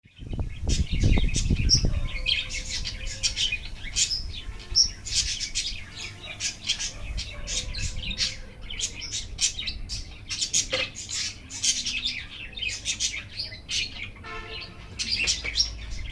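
Budgerigar chattering with quick, bright chirps and warbles in a steady stream.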